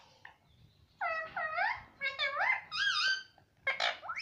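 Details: Pet Indian ringneck parakeet talking Hindi: a quick string of five or six loud, nasal, up-and-down word-like syllables, then a short pause and two harsher, breathy syllables, in a quiet room.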